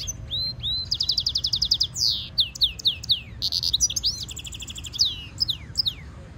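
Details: Goldfinch mule hybrid delivering stimulation song: a bright rapid trill, then a series of sharp downslurred whistles, more buzzy trilled phrases and tinkling notes, high and lively against a soft low hum.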